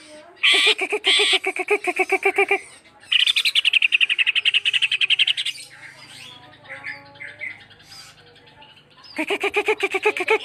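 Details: Greater green leafbird singing fast, rhythmic chattering trills in three bouts, the middle one higher and brighter, with quiet softer notes and a faint low hum between bouts.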